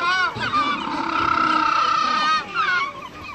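An African penguin gives a hoarse, donkey-like bray: short rasping notes, then a long nasal held note, ending in a few quick braying pulses.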